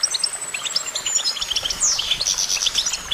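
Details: Goldfinch in fast, high twittering song, with a thin sustained whistle at first, then a sweeping slurred note and dense clusters of tinkling chirps.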